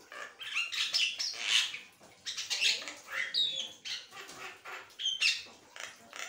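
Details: Asian pied starling keeps chattering without a break, a run of harsh rasping squawks and gurgled whistles pulsing roughly every second.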